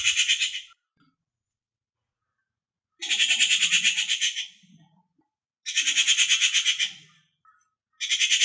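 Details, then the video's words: Rufous Treepie call, type 1: harsh, grating rasps, each about a second and a half long and fading at the end, repeated every few seconds, with faint low murmurs between. "Rufous treepie call - Type 1"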